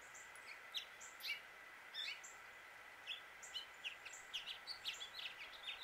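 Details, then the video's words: Male House Finch in Suffolk, Virginia, USA, calling, singing and chirping: quick, high chirps and short warbled notes in loose bursts about every half second, over a steady droning hum. "House Finch Song and Call"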